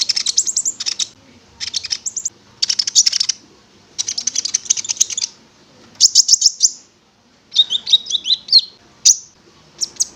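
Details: Konin (prinia) song used as a lure to make the bird sing: repeated one-second bursts of high, rapid, rattling notes, then lower warbled twittering phrases.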